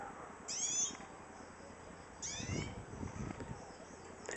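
Hooded siskin giving two thin, nasal, wavering calls about two seconds apart, high and slightly slurred, over a low rumbling background.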